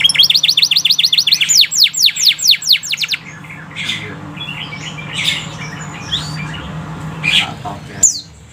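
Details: Canary song used to stimulate other canaries to sing: a rapid roll of repeated upswept notes for about three seconds, slowing into broader sweeps, then quieter scattered chirps over a steady low hum.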